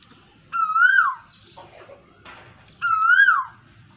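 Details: Rainy-season call of an Asian koel, recorded 23 June 2022: two strong whistled notes about two seconds apart, each swelling upward and then sliding down, with softer rustling between them.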